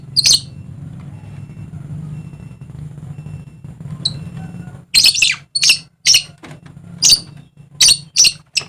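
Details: Dusky lory, a bird endemic to Papua in eastern Indonesia, giving one harsh screech, then after a pause a run of about seven loud, rasping screeches in quick succession over a steady low hum.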